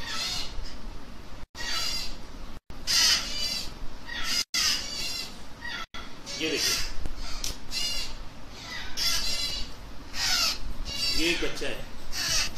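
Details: Baby African grey parrots being hand-fed: harsh, rasping squawks with stacked harmonics come in bursts, several overlapping, with short gaps between, over steady low background rumble and possible human voice.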